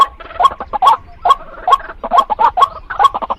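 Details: Rasping, clucking notes from a female white-breasted waterhen, repeated irregularly over a few seconds. A brief pause comes in the middle, then a quicker cluster of calls.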